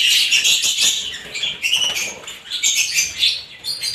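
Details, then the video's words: Mixed lovebirds keep up a continuous, shrill chatter of overlapping high chirps and squeaks, dipping briefly around the middle before the busy twittering swells again. "ibat ibang klasing uri ng love birds sarap nilang pakinggan habang na humuhuni"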